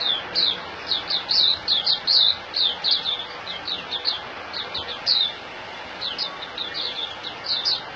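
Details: White-eye, known locally as puteh, kept caged and singing while held in the hand in Singapore on 26 January 2018. It delivers rapid high twittering notes, each falling in pitch, grouped in bursts with short gaps.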